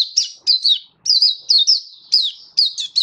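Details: Caged Oriental white-eye giving its display song: loud high sweet chirps, each a quick downward-sliding whistle, bunched in pairs and triplets with brief pauses, very clear with almost no background.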